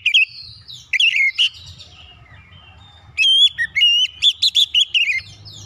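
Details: Oriental magpie-robin singing to trigger other birds' song: loud clipped whistles, then a quiet gap, then a long lively phrase of pure rising whistles and rapid chirps.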